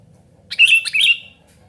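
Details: Sooty-headed bulbul calling loudly, played to lure wild birds and to tutor reluctant singers. It gives a brief burst of two clustered, bright, warbling chirps lasting under a second. Background otherwise quiet.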